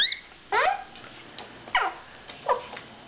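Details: Pet male quaker parrot babbling while strutting around a spare cage: three brief raspy, downward-sweeping harmonic syllables spaced about a second apart, soft background between them.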